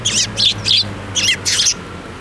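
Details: Sparrows landing on a hand to be fed at a Tenmangu shrine, 7 May 2024: five loud, harsh high chirps in quick succession, three close together then two after a short gap, over low hum.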